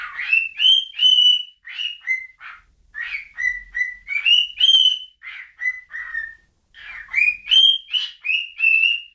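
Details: A bird whistles a run of short, clear notes that slide upward, then hold level, in quick bursts with brief pauses between phrases, against a quiet background.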